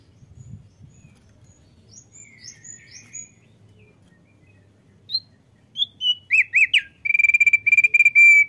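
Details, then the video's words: Male thick-billed white-eye that sings often. Soft, scattered high chirps give way to loud, sharp whistled notes, then a rapid, even buzzy trill held for the final seconds. A low background rumble runs throughout. "OPIOR PARUH TEBAL JANTAN YANG RAJIN BUNYI"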